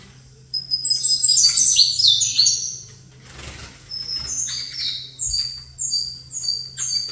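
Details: Saffron finch set opposite a rival bird: an energetic trill of falling notes for about two seconds, a soft rustle, then a slower, evenly spaced series of single high whistled chirps repeated roughly every half second.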